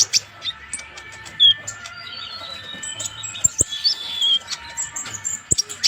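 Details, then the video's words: Konin, the purple-throated sunbird, in energetic song used as a master for teaching birds: scattered very high squeaky notes and brief trills, with a few sharp clicks and a constant background hum. "KONIN GACOR COCOK UNTUK MASTERAN"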